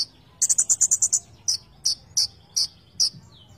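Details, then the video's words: Konin songbird giving a quick run of about eight high buzzy notes, followed by evenly spaced sharp downslurred chips about every half second, over soft background noise. "Konin gacor full isian"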